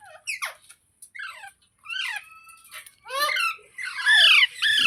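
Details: Green parrot, noted as talking, begins with short squeaky falling notes and a thin drawn tone, then builds into louder, continuous rasping screeches toward the end.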